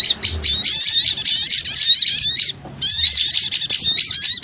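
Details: Small birds recorded for luring, calling together in a busy, high-pitched chatter of whistled slurs and buzzy notes, with one clear gap before the chorus resumes.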